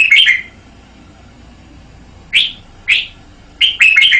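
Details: Caged red-whiskered bulbul giving bright whistled notes: an opening phrase, a long pause, then two separate slurred whistles and a closing run of rapid warbled notes.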